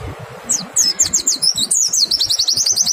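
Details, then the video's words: White-eye song meant to lure other white-eyes into singing: a string of very high, quick slurred notes accelerating into a continuous rapid twitter. "Pancingan PLECI BIKIN IKUT NEMBAK, suara jernih bikin respon PLECI LAIN BUKA PARUH"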